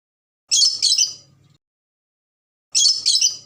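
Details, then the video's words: Ambon red lory screeching in doubled, harsh high bursts about two seconds apart, each followed by quiet low rustling. "NURI RED LORY AMBON SUPER GACOR"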